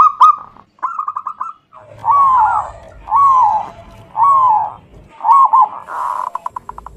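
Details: Local zebra dove song used as a lure for other birds: quick trilled notes, then long arched cooing phrases repeated about once a second over faint low background noise.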